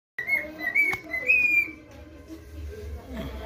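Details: Pet male cockatiel in training to whistle the national anthem: a brief run of clear, harmonic-rich whistled notes, slightly rising, for under two seconds, then only a low room rumble.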